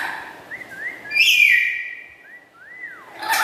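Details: Pet black-capped lory with a loud, melodious voice. Thin rising and falling whistles surround one loud, grating call in the middle. A sharp burst starts at the end.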